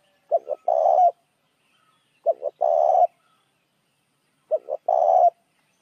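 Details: Spotted dove coos used to attract other doves: three repeated phrases of two brief hollow notes and one longer mellow coo, evenly spaced about two seconds apart, clean and without other sounds.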